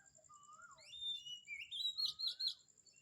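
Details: Birds call in the morning at Kamphaeng Saen. A mid-pitched whistle rises and falls, then sweeping upslurs climb into loud, sharp warbled notes, over a thin persistent high tone.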